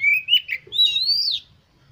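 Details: Oriental magpie-robin, sung as a lure for other birds of its kind. Bright whistled notes that bend up and down, then one long, clear whistle rising and falling, over quiet low hum.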